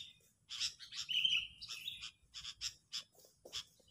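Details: As a lure for trapping, an angry sooty-headed bulbul mixes short harsh rasps with a smooth whistled note, the rasps coming in quick irregular bursts.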